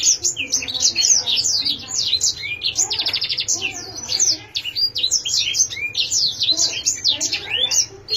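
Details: Canary song: a continuous jumble of high chirps, short whistled slides and twitters, with a brief fast buzzy trill near the middle; lively and varied, over faint low background hum.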